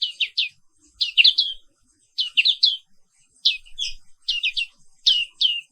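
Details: Energetic morning twittering from a black-capped white-eye, a bird found only in Indonesia: groups of two to four bright, high chirps repeated about once a second. The background is clean and quiet.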